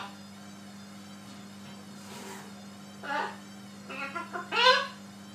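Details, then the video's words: A pet macaw parrot speaks in a small room: after a quiet start come a hoarse syllable and then a quick run of three raspy, speech-like notes, with a constant low hum behind. "Funny Talking macaw parrot"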